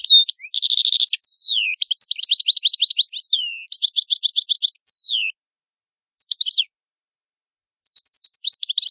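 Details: European goldfinch, Italian cardellino, in full song: buzzy trills, repeated rising-falling twitters and descending slurs in a long run, a silent gap, then scattered high chirping notes.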